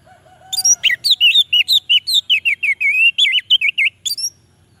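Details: Orange-headed thrush singing to wake up silent males: a low soft whistle, then a fast, steady stream of about twenty clear, twisting whistled notes, closing with a few sharper high notes.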